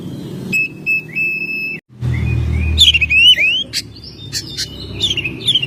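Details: Oriental magpie-robin kept at home, in full song during May. A steady whistled note opens the phrase, then a brief gap, then twisting, warbling whistles and sharp high clicks over a low rumble.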